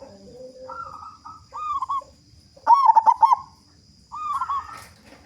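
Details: Local zebra dove singing strongly, used as a lure so other doves start calling. Soft, lilting introductory coos lead to a loud, rapidly pulsed cooing burst, followed by another softer coo.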